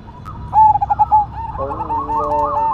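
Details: Perkutut (zebra dove) of the Cemani Majapahit type singing actively. One loud phrase of quick pulsed coos ending in a longer note is followed by a layered sustained tone and overlapping coos.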